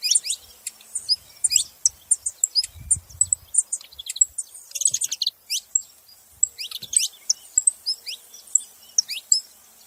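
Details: Several saffron finches singing together, a dense overlapping chorus of high, sharp chirps and short downward-sweeping notes tumbling without pause, with brief quieter gaps and a faint low thump near the third second.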